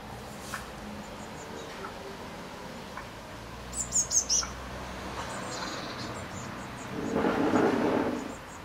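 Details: Blue tits at a nest box in May 2020. A brief cluster of three or four high, thin notes, then a few seconds later a broad rustling noise.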